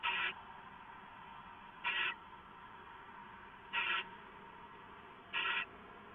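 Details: Early morning, 6:04 AM on 15 March 2014, an owl receives leftovers on a live camera; four rasping, breathy screech bursts come about every two seconds over steady background hiss.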